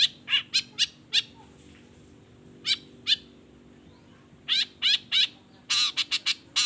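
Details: Long-tailed shrike singing in the morning, midday and afternoon, provoking other shrikes to answer: sharp, high chattering notes in short bursts, separated by pauses, ending in a rapid cluster of harsh notes.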